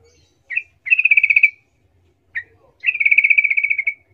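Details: Sooty-headed bulbul 'rol' lure song meant to goad rivals into calling back; a brief chip then a steady rattling trill, repeated twice in a quiet setting.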